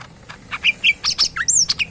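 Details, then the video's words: Cucak ijo mini leafbird kept as a tame pet, singing a short run of clear whistled notes that climb higher, ending in a looping high slurred whistle. "burung cucak mini gacor full yang terbaik"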